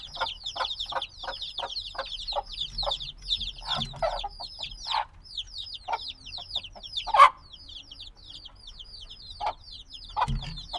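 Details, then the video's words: Newly hatched black chicks cheep in a busy high chorus of descending peeps, with a run of rhythmic taps early on, one sharp loud knock midway and a low thud near the end. "Baby Chicks Sounds - Baby Chicken Chirping Noises"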